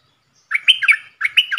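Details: Bulbul used as a decoy bird, one of four, recorded 31 July 2021: quick, liquid warbled phrase of several chirping notes, then a second similar phrase.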